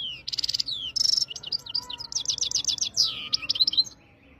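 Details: European goldfinch singing in Jijel, Algeria: a rapid twittering run of high, tinkling notes, with buzzy trilled bursts, fast repeated chirps and short downward slurs, over a faint low background hum.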